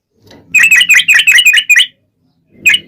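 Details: Yellow-vented bulbul in a long rapid-fire song played to lure other bulbuls into answering: a quick burst of about eight bright, bubbly slurred notes, then a brief pause and one more note over a faint low hum.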